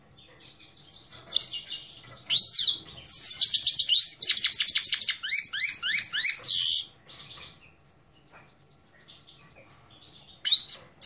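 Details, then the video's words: Himalayan goldfinch singing, Parachinar: extended rapid warble of tinkling trills, buzzy notes and sweeping slurs for about five seconds, then sparse soft calls and a last sharp note. "Parachinar Himalayan Goldfinch Singing 2022"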